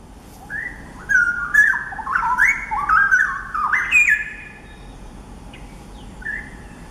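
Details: A wild straw-headed bulbul, one of a pair in a Singapore nature area on a sunny morning, pours out a loud, rich warbling song of bubbling, fluty phrases jumping in pitch, then a few softer notes.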